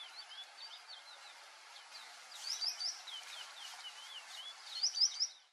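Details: White-faced whistling duck calling: two quiet bursts of three quick, high, thin whistled notes, about two seconds apart, over a soft background of scattered faint chirps and steady hiss.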